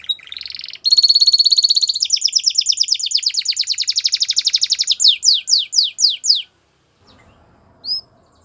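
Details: Song of a Belgian canary: opens with a buzzy high note, then a rapid even trill that shifts into slower, loud downward-sweeping whistles before stopping; faint low rustling and one short high chirp follow.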